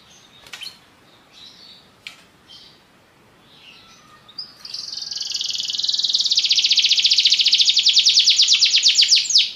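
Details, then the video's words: After a few scattered faint chirps and clicks, a Belgian canary launches into a sustained rapid high trill that strengthens and resolves into separate descending strokes. "Canários belgas atraem o som das canções preguiçosas dos canários"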